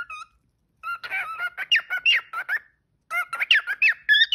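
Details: Pet parrot chattering indoors, one short whistle then a dense burst of squeaky, scratchy notes mixed with brief tones, a pause, and another jumbled burst, sounding like mimicked talk.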